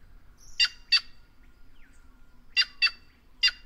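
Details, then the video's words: White-naped jay of the Brazilian caatinga calling in harsh, nasal paired notes, three doubled bursts spaced about a second apart, with a faint thin tone and soft background birds. "Canto da Gralha Cancã Cyanocorax Cyanopogon"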